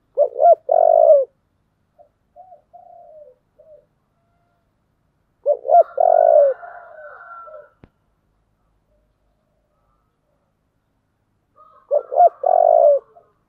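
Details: Spotted dove delivering 'giọng thổ' style song: three phrases, each two short rising notes and a held coo, roughly every five to six seconds, with soft trailing coos after the first two phrases.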